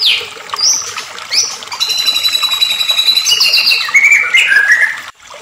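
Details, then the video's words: White-rumped shama, excited lure song to make other shamas sing: high whistled slurs, then a dense, buzzy, rattling passage that ends in lower chattering notes before a sudden stop. "AMPUH PANCINGAN MURAI BATU EMOSI EFEKTIF bikin MURAI langsung GACOR"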